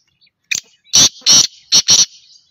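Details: Black francolin giving a rasping call of four harsh, loud, broadband notes, the middle two longest, preceded by a short sharp click, all within about one and a half seconds.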